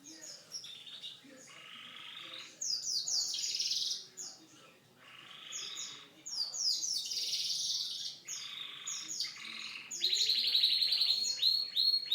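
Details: Canary song made of changing phrases: buzzy broadband rolls, rapid repeated chips and high sweeping notes, ending in a loud fast trill near the close.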